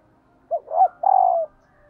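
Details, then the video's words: A hen dove gives her male-stimulating call: a brief clipped coo, a swelling second coo and a drawn-out vibrating note gently falling in pitch, with near silence around it. "Tiếng Chim Cu Mái kích Trống Hiệu Quả"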